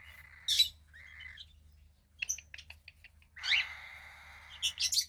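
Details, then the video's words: A female cockatiel chick about 15 days old, from a pied cockatiel pair, gives a short rasp and then a longer rising raspy call. Loud sharp chirps and squeaks sound at the start, the middle and the end. "Cockatiel Chick 2 (15 Days Old)"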